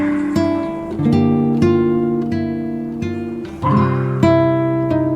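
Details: Acoustic guitar strummed in slow chords, with no animal sounds.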